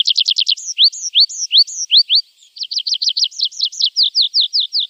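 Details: Javan bush lark song played to train untrained caged birds: a fast burst of high chirps, then slower upslurred whistles about every half second, then quick repeated looping notes. No background noise.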